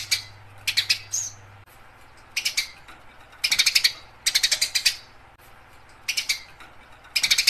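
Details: Fighting house sparrow, lively and chattering, giving harsh rattling bursts of rapid chirps, each burst about half a second to a second long, separated by short pauses.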